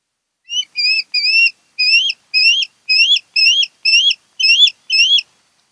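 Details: Nest-camera recording of a breeding osprey pair on Kent Island, Maryland, 08-10-2018: roughly ten upslurred whistles delivered at close to two per second in an even rhythm, with no other sounds.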